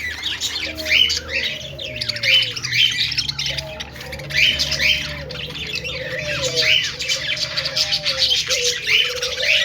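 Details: Budgerigars described as happy and playing, chirping constantly: dense, scratchy warbling chatter with quick squawky notes and short rising whistles, several birds overlapping without pause.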